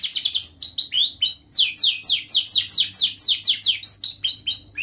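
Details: Young, constantly singing canary learning to arrange its song, recorded as a tutor for juvenile canaries: fast high chattering notes, then a steady run of descending slurred whistles repeated about four times a second.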